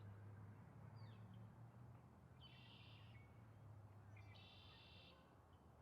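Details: A Northern Shrike gives a thin high note, then two harsh, buzzy rasps about two seconds apart, over a steady low hum.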